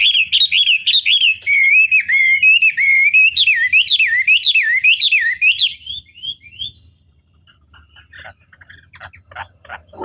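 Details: Chinese hwamei song used as a long master recording to provoke rival birds into answering: loud, fast run of rising and falling whistled notes, repeated almost twice a second for six seconds, then fading into faint scattered chirps.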